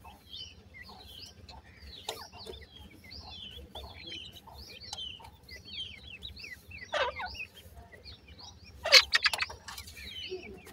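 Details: Bhura teetar, the grey francolin, as chicks: steady overlapping high whistled peeps sliding downward, many per second, broken by a few louder rustling or scraping bursts near the end.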